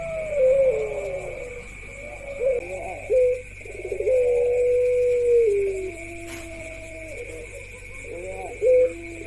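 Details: Several pelung-style ringneck doves, including one female, coo in turn: extended level coos that fall at the end, with short clipped notes between them and a constant background hum.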